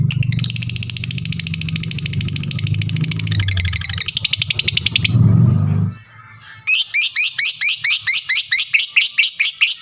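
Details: Lovebird lure calling to stir other lovebirds into calling: a sustained buzzy, pulsing trill over a low rumble for about six seconds, brief quiet, then a rapid, regular series of shrill chirps.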